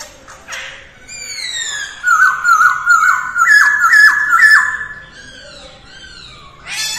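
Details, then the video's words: Early-morning song of a masked laughingthrush in voice training: a long descending whistle, then a steady series of loud swooping whistled notes, with quieter notes before and after. "Khướu hót luyện giọng mỗi ngày vào sáng sớm mái ro ro | Masteran Poksay hongkong"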